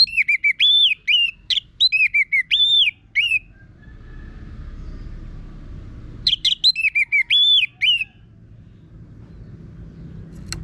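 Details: Orange-headed thrush (anis merah) singing a harsh-voiced, energetic song used as a lure to prompt other birds to sing: loud whistled phrases of quick, varied, slurred notes in two bouts about three seconds apart, over a low steady hum.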